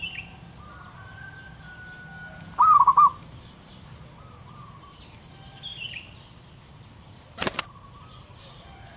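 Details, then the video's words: Wild local zebra dove giving a single brief trilled coo phrase amid scattered whistles from other birds, a steady high insect drone and a sharp click near the end. "perkutut lokal alam liar suara tebal istimewa"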